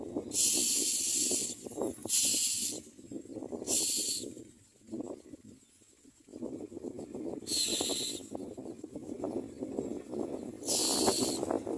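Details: Hungry common mynas at a nest giving harsh, hissing begging bursts about a second long, five bouts separated by short pauses, over a low rumbling background.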